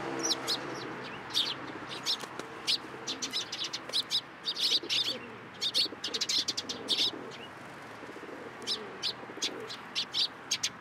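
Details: Sparrows at a Tenmangu shrine, 14 April 2023, landing on a hand for food; a lively flock chatters with dense runs of high, clipped chirps, some overlapping, while faint low murmuring sounds underneath.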